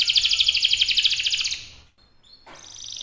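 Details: Canary singing in full, lively voice: a fast, even, high trill of rapidly pulsed notes lasting about a second and a half, then a brief silence before a few thin whistled notes and another bright high phrase begins.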